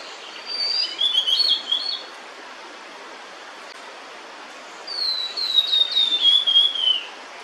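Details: Holding food in its bill near the nest, a female blue-and-white flycatcher sings two phrases of high clear whistles that slur downward, separated by about three seconds of quiet background hiss.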